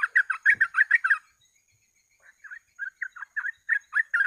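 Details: Sooty-headed bulbul singing for use as a trapping lure, 'gacor ropel' style: a quick burst of chattering whistled notes, a short silence, then spaced single liquid notes returning at a faster pace.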